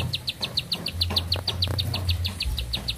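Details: Bar-winged prinia delivering a quick series of high, clipped notes at a steady fast pace, with a low droning background hum.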